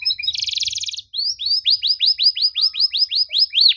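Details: Canary song meant for young canaries to learn: a buzzy rattling trill, a brief break, then evenly spaced curved whistled notes repeated about three times a second.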